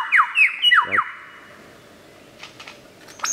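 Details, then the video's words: Lyrebird mimicking other sounds: four loud, clear descending whistled sweeps in quick succession, followed by softer scattered high notes and faint background hiss. "Bird Sounds From The Lyre Bird"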